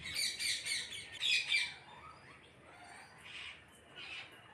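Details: A parrot flock calling: rapid pulsed squawks repeat several times a second during the first two seconds, then softer scattered calls follow.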